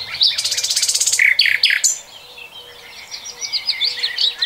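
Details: Common nightingale in song, 2020. A dry, machine-gun rattle of quick pulses gives way to a buzzy swoop, then a gentle sequence of soft repeated whistled notes.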